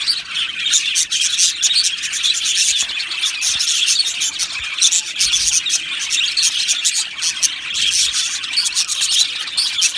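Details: Aviary flock of Australian budgerigars chirping and singing: a constant high twitter of quick overlapping notes and warbles, evenly dense throughout, with no other sounds standing out.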